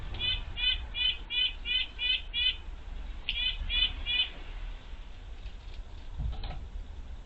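A Red-breasted Nuthatch gives a quick run of about seven high, nasal beeping notes, then three more, over a low background hum.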